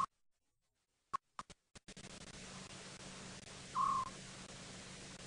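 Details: African scops owl calling close by on a cool late-August evening in a South African game reserve, with several others calling around: a short, purring trilled note at mid pitch, once clearly and faintly earlier, over clicks and steady hiss.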